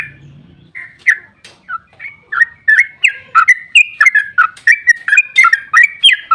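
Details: Sooty-headed bulbul delivering its long rapid song as a lure for other bulbuls: slow scattered whistled notes at first, building into a fast, steady run of bright up-and-down slurred whistles.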